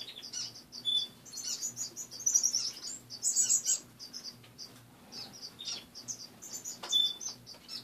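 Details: Indoor caged finches in the morning, thin high chirping with quick trilled runs and a few clear whistled notes, several birds calling over a soft constant hum.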